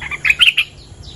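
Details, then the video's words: Bulbul, a territory owner, answering a lure recording: a short burst of three or four bright chirped notes, quickly repeated, with a faint steady hum underneath. "เสียงนกดอกแตงEp.238 จ้าวถิ่นกระโดดใส่!! Suara pikat merbah lekir gacor"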